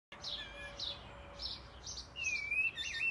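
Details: Black-and-white blackbird singing in the morning, a bird known to imitate car alarms and ringing phones: thin, scratchy high phrases, then clear whistled notes rising and wavering near the end, over a steady background hiss.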